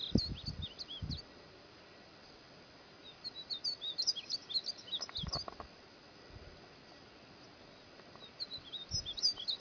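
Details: Cut-throat finch song from a training recording for songbirds: bursts of high, quick chirping and twittering notes near the start, in the middle and at the end, with low thumps and soft background hiss between phrases.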